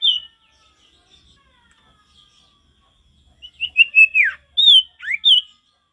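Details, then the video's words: Male sirtu in forest-style recording: soft whistles at first, then a loud phrase of quick repeated high notes ending in a falling slur and bright whistles. "Sirtu gacor gak ada lawan suara ngalas alami"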